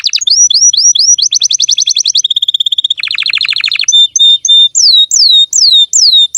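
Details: Caged female canary in full song, described as very lively: quick down-slurred whistles, fast trills, a steady pure tone, a dense buzzy rattle, then slow repeated swooping whistled phrases.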